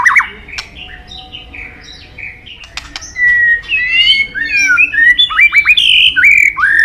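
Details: After a few quiet seconds, a white-rumped shama, a songbird much prized by keepers, launches into bright whistled song: rising and falling slurs, short twittering notes and sharp upward flicks, growing louder toward the end.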